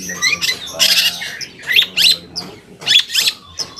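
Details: Long-tailed shrike song played to make other shrikes reply: grating squawks alternating with sharp chattering notes, irregular bursts roughly once a second, with faint low hum beneath.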